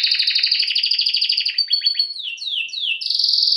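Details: A canary (Serinus canaria) in training song: a fast rattling trill, a run of downward-sliding notes repeated about every quarter second, then a loud steady buzzy roll.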